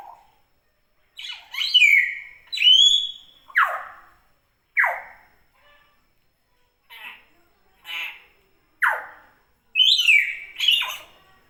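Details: Common hill myna, recorded in a natural setting and calling actively: loud, varied notes including sharp downward-sweeping whistles and rising, looping whistles, about a dozen bursts separated by short silences.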